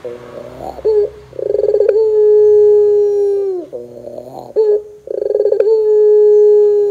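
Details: Ringneck dove, pelung type, singing on a lure recording meant to prompt doves to sound off: buzzy trilled openings followed by long drawn-out steady hooting coos, two full phrases with a short gap between.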